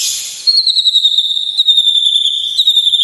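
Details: White-rumped shama song for rousing emotion: a breathy high start, then a sustained shrill whistled trill with rapid pulsing, held nearly level with slight wavers.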